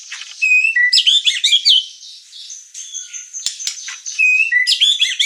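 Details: White-rumped shama delivering varied, loud warbled phrases with twisting whistles, a quieter pause of thin high notes, then another burst of rich rapid phrases.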